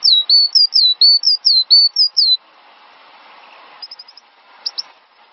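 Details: Cinereous tit singing for a songbird-training master track: bright, high whistles with a downward slur, delivered in a steady fast string for over two seconds, followed by soft hiss and a few faint distant notes.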